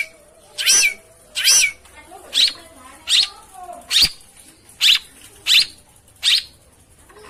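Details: Long-tailed shrike song for prompting a silent bird to sing: evenly spaced, strident, scratchy high notes, a little under one per second, with a faint low hum behind.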